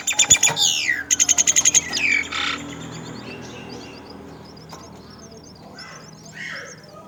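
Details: Mother myna feeding her young at the nest: loud harsh squawks and a quick burst of about eight sharp, high chirps in the first two seconds, followed by fainter high twittering notes repeated throughout.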